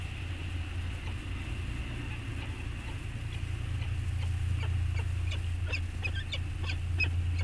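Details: On Anacapa, a bonding pair of peregrine falcons on a webcam, 14 August 2021: faint high chirps at first, then a burst of harsh, scratchy notes, all over a heavy low rumble.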